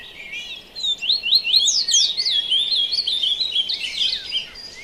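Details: Birds singing at dawn, recorded live in nature in Brazil: a dense chorus of high, quick whistled sweeps and chirps, rising and falling notes overlapping in rapid succession over a soft steady background hiss.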